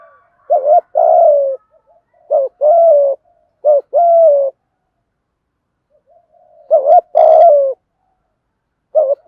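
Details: Spotted dove giving 'thổ'-style coos to stir wild doves: five phrases at uneven intervals, each a short wavering note and a longer falling coo, with a sharp click near the seventh second.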